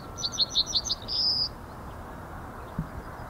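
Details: Male Yellowhammer recorded on 17 February 2019, mid-morning, in the Ahsewiesen nature reserve with a Panasonic Lumix GH5: five quick, high chipping notes followed by one long, level, thin whistled note, then quiet hiss with a soft thump.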